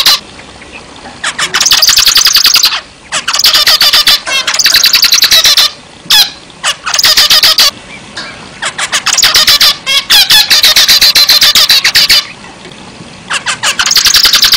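Zebra finch chattering in long bouts of rapid, nasal, buzzy notes, like a tiny toy trumpet, broken by brief pauses every few seconds.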